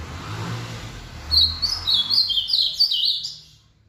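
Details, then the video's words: After an outing, an ultramarine grosbeak gives a rally song, a fast run of sweet slurred whistles stepping downward over roughly two seconds, with faint low background hum before it. "Azulão RALLY depois do passeio."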